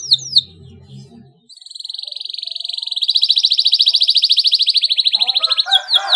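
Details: Canary master song in the tight rolling style, used to teach young birds to sing; a long, fast, even trill of high pulses that swells in loudness for about four seconds, preceded and followed by brief chirps.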